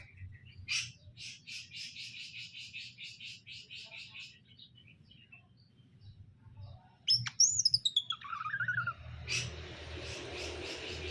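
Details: Caged greater green leafbirds, male and female, during pairing; a fast series of evenly spaced high chirps, a pause, then loud sweeping whistles sliding downward, followed by rustling noise.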